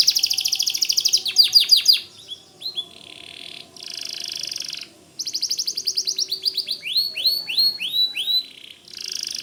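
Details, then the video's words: White canary singing a loud, fast song of rapid repeated high chirps and trills, bursts of descending sweeping notes and buzzy rattles, broken by short pauses, with a faint low hum beneath. "Suara Kicau Kenari Putih Gacor Dor"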